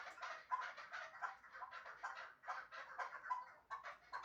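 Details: Chukar partridge kept for hunting in Shahritus, uttering grating, chattered notes in rhythmic bursts about every third of a second, with brief clearer tones mixed into the rasp.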